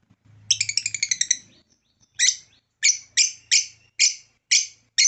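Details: African lovebird calling: a rapid burst of about ten harsh, shrill chirps, then loud sharp squeaky notes repeated roughly every half second, high-pitched and harmonic-rich.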